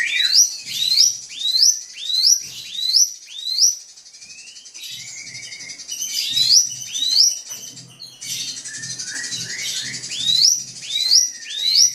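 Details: Drongo song to provoke a rival: a series of sharp rising whistled sweeps about twice a second, a brief pause, then denser overlapping whistles and buzzy notes, soft low knocking underneath.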